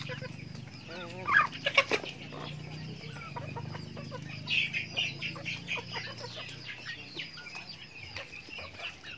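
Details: A backyard flock of chickens feeding during its daily routine. Loud quavering, wavering calls come early, then a long run of rapid, overlapping clucks and chatter that slowly fades.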